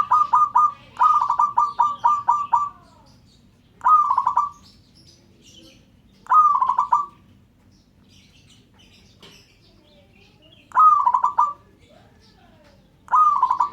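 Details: Local zebra dove calling to make other doves answer: loud rapid stuttered cooing phrases, a quick run of several at first, then single bubbling trilled phrases every two to five seconds, with faint distant cooing between.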